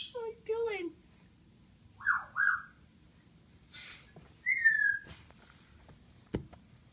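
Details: Pet military macaw playing with bathroom towels indoors, laughing and cooing; soft descending cooing notes, a pair of mid-pitched whistled hoots, then a falling whistle, with quiet room noise.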